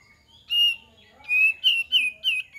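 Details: Kapas tembak song used as a lure, loud and clean: a whistled note followed by a quick string of four bright, slightly descending whistles.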